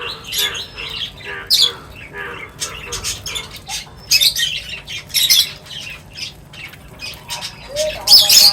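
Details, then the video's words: Various birds gathering at feeding time give short, high chirps and squeaky notes in overlapping bursts, some sharper calls standing out, with a faint lower tone underneath. "Birds Feeding Time Sounds | Birds Chirping sounds"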